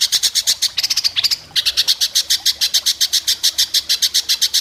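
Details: White-rumped shama at a singing contest giving a sharp besetan: a steady rapid stream of high, scratchy repeated notes, broken briefly by a short twittering whistle, then the fast regular rattle resumes.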